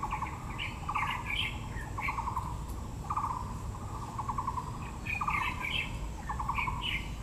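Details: In Yangming Park, Yangmingshan National Park, Taipei, with azaleas in bloom, a Taiwan blue magpie gives rapid clicking rattles about every second, mixed with busier higher chirps and squeaks, over a low constant rumble.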